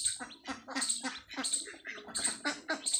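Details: Desi hen with her newly hatched chicks on a farm; low harmonic clucking mixes with bursts of high chirpy peeps, several quick notes per second, close and busy.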